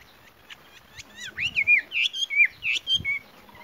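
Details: A female Chinese hwamei, used as a lure, gives a quick run of bright, twisting whistled notes, sliding up and down, about ten in under three seconds, with faint low background noise.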